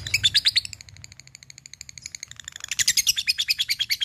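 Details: A labet fighter bird calling a rival: a brief loud burst of ticks, then a thin, steady run of quieter high pips, rising again into a louder rapid chattering series.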